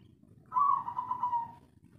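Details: Spotted dove of the local 'kuk 3' type, a wild-sourced voice used to stir other doves' breeding drive; one drawn-out, wavering coo holds a steady pitch and sags slightly for about a second over a low background rumble.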